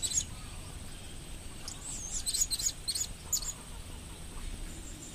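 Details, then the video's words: Thin, high squeaky notes from a blue-crowned hanging parrot recorded in 2015, a brief call at the start then a scattered cluster of sharp chirps midway, over steady low hum and hiss. "Bunyi Si King Pada Tahun 2015 Begini"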